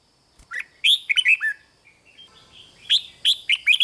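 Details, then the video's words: Thai red-whiskered bulbul song meant to get caged birds excited: a quick run of bright, falling whistled notes, a soft pause with faint chirps, then another lively burst of sharp notes. "เสียงนกกรงหัวจุก ร้อง ริก เปิดให้นกฟัง ยั่วให้นกคึกจัด"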